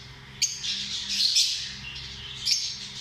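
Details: Lovebirds, affectionate small parrots, give harsh, high squawking calls, a sharp click opening and closing a continuous shrill chatter.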